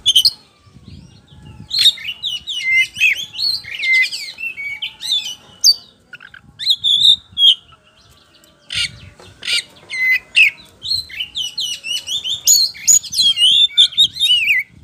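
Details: Loud, lively white-rumped shama (kacer poci) song played as a lure so birds answer: long rapid run of whistled phrases, chattering trills and sharp slurred notes, nearly continuous with a brief pause midway, faint low knocking beneath.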